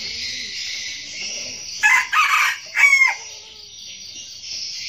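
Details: Decoy red junglefowl rooster crowing to lure wild roosters: one short, harsh, broken crow in three bursts, over a steady high insect drone.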